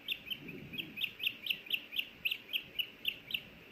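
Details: At a Hellgate Canyon nest in Missoula, Montana, filmed on 24 May 2024 while a male osprey brings a small fish and the female asks for a bite: a continuous string of about thirteen shrill, high chirps, evenly spaced.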